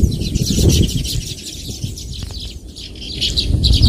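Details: Several baya weavers give rapid, high-pitched chirps in irregular overlapping bursts over a rumbling low background.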